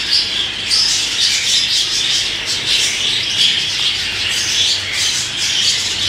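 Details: A budgerigar playing with keys keeps up a steady, high, scratchy chatter with brief squawks and chirps.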